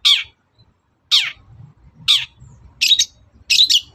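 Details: Long-tailed shrike heard in the morning, played to provoke other birds: five separate harsh, descending squawking notes spaced roughly a second apart over a faint low rumble.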